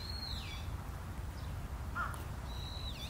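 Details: Long-eared owl parent and young on Tsushima: two thin, high, drawn-out squeals that drop at the end, one at the start and one near the close, with a brief lower chirp between and a constant low background hum.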